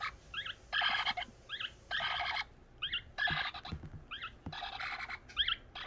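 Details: Hand-raised youngest parrot keeps begging for food though its crop is full; quick rising squeaky notes interleave with loud grating, buzzy bursts, repeated roughly every second, with faint handling noises below.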